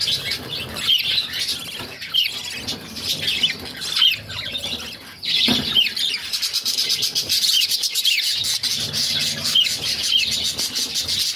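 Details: Six young budgies begging as their mother feeds them; constant high rasping chatter dotted with short rising squeaks, briefly dipping before a louder burst midway.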